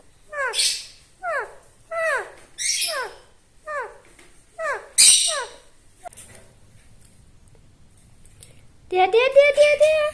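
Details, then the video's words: Talking parrot giving a series of short downward-sliding harmonic calls, about one every 0.7 seconds, with a few harsher squawks, a quiet pause, then a sustained voice-like wavering tone at the close. "Talking parrot"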